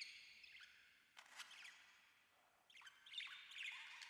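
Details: Indian parrot, a pet rose-ringed parakeet, enjoying a head scratch while giving scratchy chirps and rasping squawk bursts at uneven intervals, over steady background hiss.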